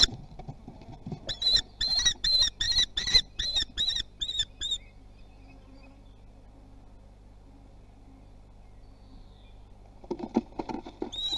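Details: Young common kestrels at Théding, France, 24 June 2020, practising with their wings; a quick string of about nine piercing kee calls, a long near-silent pause, then renewed calling with scratching.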